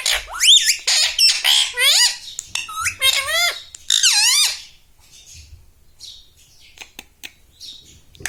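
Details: Talking pet parrot indoors repeating words like mummy and papa; rapid chain of squeaky, zigzagging syllables for about four seconds, then quiet with faint clicks.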